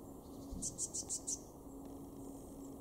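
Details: Eurasian blue tit in a garden in Weener, East Frisia, northwest Germany, in January 2023, gives five very high, thin notes in quick succession, about six per second, over a steady low hum and faint background noise.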